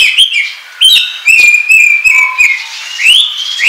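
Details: Oriental magpie-robin song used as a trapping lure, with long clear whistled notes near one pitch, rising upslurred whistles and short sharp chips between them, loud and close with no background sound.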